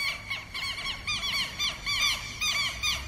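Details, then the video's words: Southern lapwing sounding the alarm against predators invading its territory: loud bursts of strident, arched, down-slurred notes, delivered in rapid groups of three or four with brief gaps, over faint low background noise. "QUERO-QUERO🎶 CANTO DE ALERTA -CONTRA PREDADORES"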